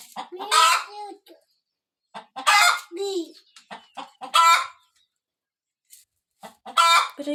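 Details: Village hen before laying eggs repeats a loud, harsh squawk about every two seconds, each one preceded or followed by a few soft short clucks.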